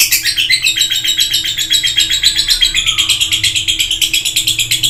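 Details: Lovebird in full, intense chatter: a continuous rapid stream of high, shrill twittering notes, about four pulses a second, sliding slightly up and down without pause.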